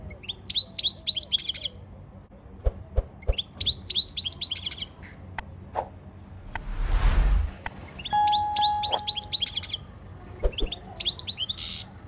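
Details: European goldfinch singing a training song in four short bursts of rapid twittering, separated by pauses with clicks, knocks and a brief whooshing noise in between.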